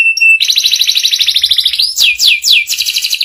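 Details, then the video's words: Canary master song for young canaries to learn quickly, the ngeriwik style: a brief steady whistle, then a rapid buzzy trill held high, ending in sweeping descending whistled notes repeated about every third of a second. No other sounds. "PANCINGAN SUARA KENARI PAUD CEPAT BELAJAR BUNYI NGERIWIK || MASTERAN KENARI PAUD"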